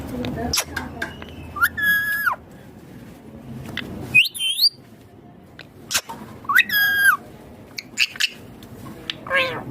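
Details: Green Indian ringneck parakeet kept as a pet, giving a string of clear harmonic whistled calls, some flat and some sharply rising, in separate bursts every few seconds over faint indoor background noise.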